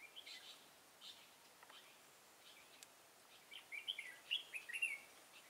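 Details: Red-whiskered bulbul recorded during trapping with a decoy bird in Thái Nguyên, Vietnam, on 13 August 2018: faint scattered chirps, then a louder burst of rapid warbled, looping notes near the end, over soft outdoor background noise.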